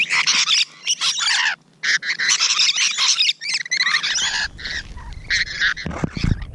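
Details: Rainbow Lorikeets (Trichoglossus moluccanus) screech harshly and almost continuously in grating bursts with a few brief pauses, recorded at close range in the morning on 12 June 2017; low thumping noises come at the end.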